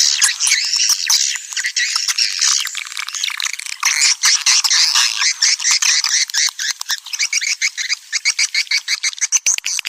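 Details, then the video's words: Swiftlet lure call: a thick, high chatter of overlapping twitters and squeaks that grows choppier, ending in rapid, regularly pulsed chirp bursts roughly twice a second. "Panggil burung walet suara panggil"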